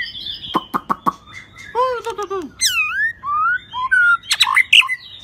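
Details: Shrimp-tailed White-rumped shama delivering 'rít thuốc lào' song: sharp clicks, mellow down-curving whistled notes, harsh stacked squeaks, and short level whistles, all loud and clear.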